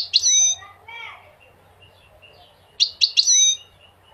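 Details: Short bursts of high, ringing goldfinch notes with a long pause between them: a bright chirp and a few softer slurred tones at the start, then three quick bright bursts near the end.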